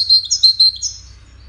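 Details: Brief phrase from a 'widaniya' European goldfinch in a competition among five birds: four or five bright, clear whistled notes, slightly slurred, over roughly a second, with a low hum in the background.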